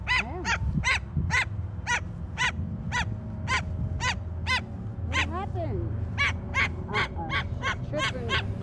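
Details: A frightened pet Umbrella Cockatoo, crest raised, gives harsh, grating alarm screeches about twice a second in a steady series while in a graveyard, with people talking quietly and a low rumble behind.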